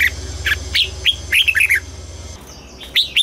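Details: Red-whiskered bulbul in morning song training for a double-note forest-style song; quick run of whistled, warbled notes dipping and rising, a short pause, then two more bright notes, with a low mechanical hum early on.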